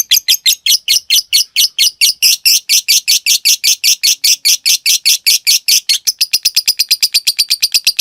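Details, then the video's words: Lovebird cage bird performing a long ngekek training song: harsh high chirps at about five per second, then after six seconds switching to a faster, thinner, higher trill. "Masteran Suara Burung Lovebrid Ngetik Ngekek Panjang"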